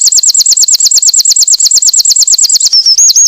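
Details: Winter wren delivering a steady, rapid run of high looping notes, each a quick curl, repeated evenly, ending with a short thin whistle and a twittered note.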